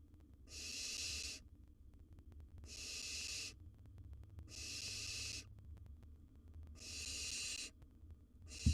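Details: Wild barn owl chick in a nest box, handling a gerbil, repeating a harsh breathy snore-hiss about every two seconds, five times, with faint rustling underneath.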